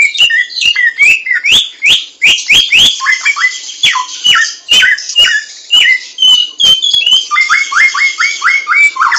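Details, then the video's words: Wild samyong laughingthrush delivering a long, lively stream of whistled downslurs and chattery notes, ending in a regular sequence of short upward-flicking whistles, with clicks throughout. "SUARA BURUNG SAMYONG DI ALAM LIAR"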